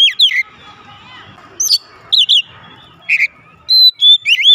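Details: Home-kept oriental magpie-robin replying with loud, clipped whistles and twisting slurred notes in separate bursts, while a low background murmur, perhaps distant voices, fills the gaps.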